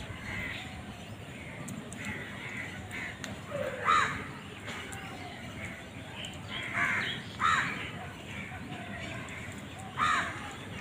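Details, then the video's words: Crows calling while fighting for food: scattered harsh caws, about four spaced over ten seconds, over steady background noise. "Crow bird crowing sound"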